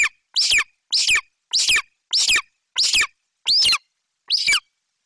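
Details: Golden eagle chick at a Bucovina nest tree in late July, screaming with excitement at the mother's prey delivery; shrill, downslurred screams repeated roughly every second, one higher arched note near the end.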